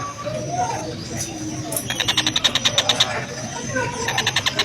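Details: Oriental dollarbird recording used as a tutor for training songbirds, with a coarse voice at slow speed: rapid runs of harsh, clipped notes, about ten per second, in two bursts over background noise.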